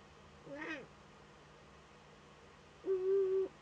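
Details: Eurasian eagle-owl at a nest camera in northern Rhineland-Palatinate, Germany, on 15 May 2013, where an owlet makes first contact with an adult. A short wavering note is followed by a steady, level, mid-pitched tone lasting about half a second.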